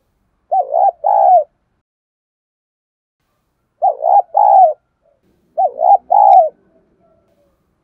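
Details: Spotted dove lure bird cooing to draw in and challenge wild rivals: three short phrases of low hollow coos, each a quick double note followed by a longer drawn coo, separated by silent pauses.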